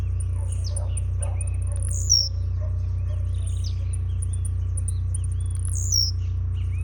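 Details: Blue-black grassquit, a jumping-style tournament bird, singing at a tournament: short, sharp, high descending notes near two and six seconds, with rapid, evenly spaced ticking and a steady low hum throughout.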